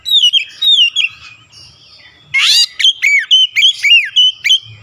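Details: Oriental magpie-robin, rival-provoking loud song: sliding whistled phrases, a short pause, then a harsh broad burst followed by rapid repeated swooping whistles and clear notes.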